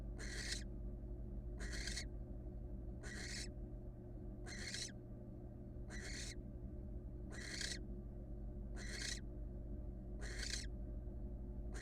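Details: Female wild barn owl resting one-legged in her nest box; a steady series of eight harsh, airy hisses, one about every 1.4 seconds, with a low background hum throughout.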